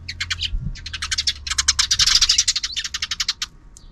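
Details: Sparrows out of camera view chirp in the afternoon in a rapid, busy stream of short, bright notes, several birds overlapping with barely a pause; a low hum sits faintly beneath.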